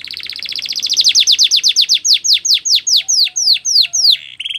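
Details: Canary singing a training song: a rapid rattling trill that slows into evenly spaced, loud falling whistles, each sweeping downward, with a few soft low flat tones and a final short buzz.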